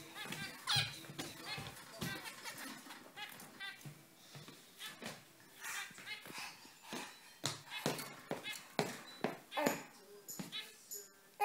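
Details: Lively zebra finches chattering indoors: a dense run of short, nasal, buzzy beeps with bursts of soft chirping, repeated rapidly over about eleven seconds in a small room.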